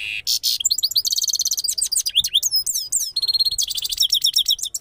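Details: Goldfinch from Parachinar, locally called Saira Qanari, sings a rapid, continuous, high twittering song of trills, buzzy notes and quick rising and falling whistles, with no other sounds.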